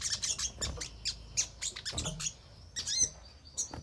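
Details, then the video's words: Crimson sunbird lure recording to prompt caged birds to respond and sing: rapid, thin, high chirps and sharp twittering notes in quick bursts, with a brief louder trill near the end. "Pancingan Sogon Agar Cepat Respon dan Rajin Bunyi Gacor Buka Paruh"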